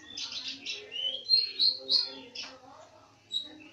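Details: Bird song in a brief burst of high chirps followed by three clear, sharp whistled notes about a third of a second apart, then a last short note after a pause.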